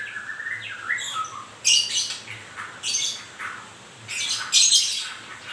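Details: White-rumped shama during moult, known as murai grewek, opens with descending whistled slurs, then delivers three harsh grating bursts with pauses between them.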